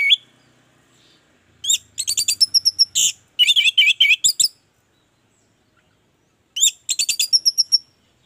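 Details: Orange-headed thrush singing 'gacor', a lure to prompt others of its kind to sing: rapid bursts of sharp, varied chirping notes in two dense phrases separated by short pauses, with a faint low hum at times.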